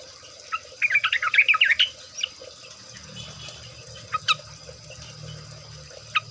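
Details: Sooty-headed bulbul (trucuk) in a lure recording meant to make birds sing; one rapid burst of bubbly, warbled notes lasting about a second, then a few isolated chirps over steady hiss and low rumble.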